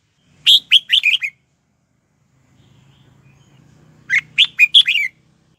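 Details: Decoy red-whiskered bulbul singing to attract wild birds to fight, two brisk phrases of five to six bright chirping notes about three and a half seconds apart, with a faint low hum in between.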